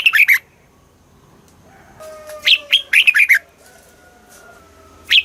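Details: Thai red-whiskered bulbul song in the southern master style, played for caged birds to excite them; bursts of bright whistled notes at the start, middle and end, with quieter thin whistles between.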